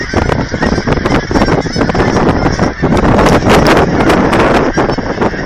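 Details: A large flock of geese at an aquatic center in Hereford, Texas, honking in a dense overlapping chorus while visitors feed them, with wind rumble and broadband noise throughout.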